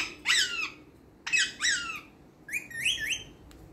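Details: Talking green parrot mimicking speech indoors: three bursts of harsh, voice-like syllables with falling then rising tones, followed by quick chattering notes.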